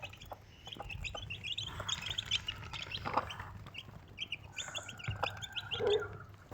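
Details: Mother Desi hen and four chicks: thin, high chick cheeps in clustered runs alongside lower, softer murmuring notes and steady background hum.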